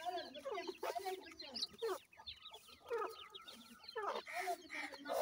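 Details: Dakhni teetar, or grey francolin, chicks with an adult pair: rapid thin cheeping notes sliding downward, clustered in bursts roughly every second, alongside some lower clucking sounds.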